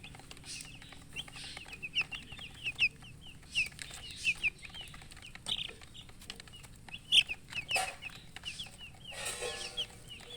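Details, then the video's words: Poultry chicks, colourful baby chickens thirsty for water, keeping up quick, high, downward peeps in bursts through the clip, mixed with clatter and a burst of rustling noise near the end. "Murgi chicks Chirping sounds with thirst for drink water"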